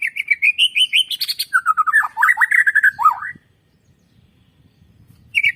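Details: Singing white-rumped shama, played to stimulate other birds to sing: clear rising whistles climbing in pitch, then a dense rattle of swooping, varied notes lasting about three seconds, silence, and a fresh whistle at the end.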